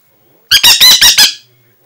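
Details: Angry Aratinga parrot indoors giving five loud, harsh, raspy squawks in quick succession, each short and noisy, packed close together over under a second, followed by silence in a small room.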